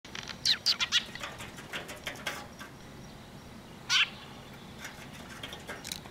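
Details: Sparrows approaching to be fed at a Tenmangu shrine on 9 October 2023, giving short, high, sharp chirps in a quick cluster of three, then a single chirp, over steady background hiss.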